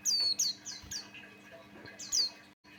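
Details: Lure recording of a male Buxtoni white-eye from Java: loud, piercing downslurred whistles, two in quick succession, a softer trailing note, then another bright whistle, with a faint hum underneath.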